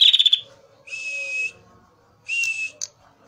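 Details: Male prinia used as a lure: a brief rattling trill, then two drawn-out buzzy notes on a steady whistled tone with a short click between, and quiet lower chatter beneath.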